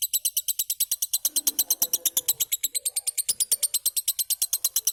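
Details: Happy cobalt lovebird kept as a pet, giving an unbroken series of shrill, evenly spaced high chirps, about three per second, with faint indoor rustling beneath.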